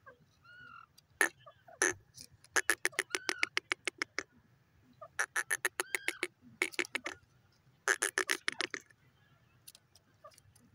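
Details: Grey francolin, called teetar and described as pheasant, calling in a series of sharp, clicking notes repeated rapidly in bursts of several seconds with short pauses between, over a low steady hum.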